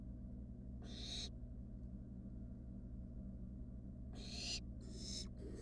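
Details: Wild barn owl in a monitored nest box, heard as harsh hissing screeches: one short burst near the start, then two longer ones close together later, over a steady low hum.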